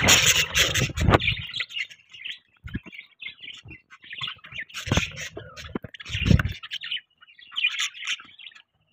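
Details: Budgies in the morning: continuous busy warbling chatter of squeaky chirps and scratchy notes, interrupted by loud broadband bursts and low clattering knocks.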